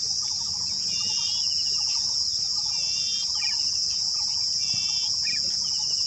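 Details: A pale-headed northeastern Indian form of Golden-headed Cisticola sings short buzzy phrases with lower clicking notes, repeated about once a second, under a steady high-pitched insect drone.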